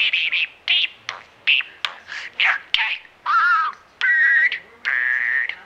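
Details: Parakeet showing its mimicry ability: quick choppy chattering syllables, then longer wavering whistles and a drawn-out buzzy tone, each phrase split by short pauses.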